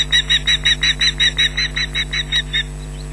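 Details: Osprey at its nest at Loch Garten, 19 June 2012 around 13:07, shrieking and mantling as an intruder comes close, a chick joining in; a rapid run of about fourteen shrill, even-spaced calls over nearly three seconds, with steady electrical hum behind.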